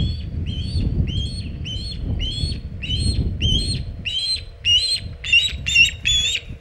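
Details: Osprey calling at the Hog Island nest, where a large shad has been brought in, 27 August 2019 near 3:50 pm EDT: a steady series of bright, upslurred whistled chirps that grow louder and sharper toward the end, with soft wind rumble beneath.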